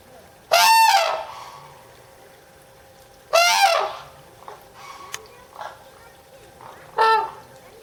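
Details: Red-crowned crane screaming at Higashiyama Zoo and Botanical Gardens, Japan, June 2010: three loud, piercing trumpeted calls spaced about three seconds apart, with faint softer sounds in between.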